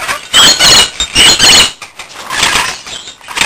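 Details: Pet rainbow lorikeet, described as a lunatic and attached to its bell; loud, harsh screeching bursts repeated in quick succession, then quieter scratchy chatter.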